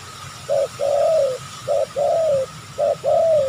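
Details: A fierce wild spotted dove answers a snare lure among oil palms near a home. Three evenly paced two-part phrases: a short, muffled coo, then a longer, gently falling note, repeated about every 1.2 seconds.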